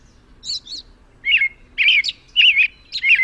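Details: American robin singing: short warbled, rising-and-falling whistled phrases repeated about every half second, with a high squeaky double note at the start; quiet background otherwise.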